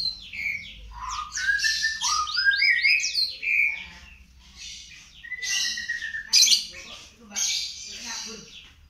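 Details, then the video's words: Young panda canary practising song: a tangle of quick slurred whistles and chatter, then pauses broken by a steady whistled note, sharp buzzy bursts and a hissy trill. "Kenari Panda Belajar Gacor"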